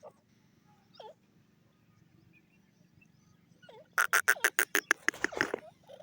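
Grey francolin: a few soft, rising notes, then a loud burst of about a dozen harsh, rapid, clipped notes at the end, over a low background hum.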